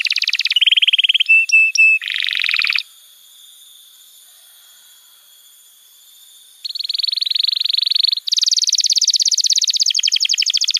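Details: Canary master song used to train young canaries and prompt silent birds to sing: fast buzzy trills and a high whistled note at the start, nearly four seconds of silence, then long dense rattling rolls at the end.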